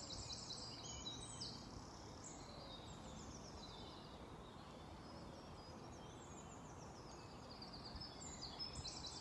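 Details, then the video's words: Birds chirping in a park in Belgium in spring: thin high chirps and twittering phrases scattered throughout, partly masked by a steady broadband rumble of background noise. "listening to the bird's chirping"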